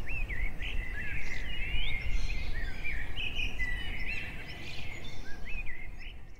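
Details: In springtime in the Eastern Woodlands, an Eastern Bluebird sings soft, warbled phrases of short rising and falling notes around two to three kilohertz, over steady low rumbling background noise.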